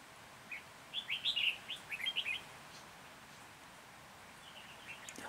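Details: Red-whiskered bulbul singing during trapping in Hòa Bình on 14 January 2021. A rapid run of around ten chirpy, warbling notes lasts nearly two seconds and is followed by fainter distant chirps and a soft hiss.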